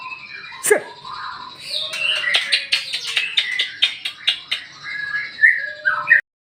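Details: Magpie-robin in captivity singing a morning lure song: a busy string of sharp clicks and twittered notes, with a thin sustained tone beneath, ending abruptly.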